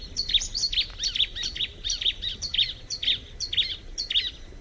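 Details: Bar-winged prinia giving a steady series of paired, high chirping notes, repeated about twice a second through the whole stretch, over a low background hiss.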